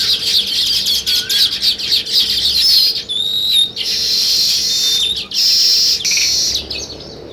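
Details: Dense sparrow chatter of rapid high chirps, broken by several clear thin whistled notes and short pauses, continuing as loud overlapping twittering.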